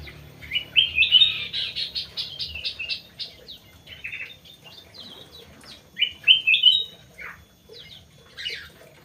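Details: Crewet bird delivering rapid, high, buzzy chirping series. A loud rattling phrase opens the passage and recurs after a few seconds, followed by scattered sharp notes.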